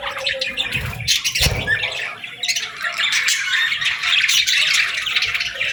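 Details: Parakeets chirping in the morning: a dense, continuous chatter of overlapping squawks, chirps and warbles from several birds, with no pause, and a low thump near the middle.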